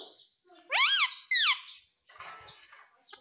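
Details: Pet ringneck parrot giving two quick loud harsh screeches in succession, followed by soft rustling and background hiss.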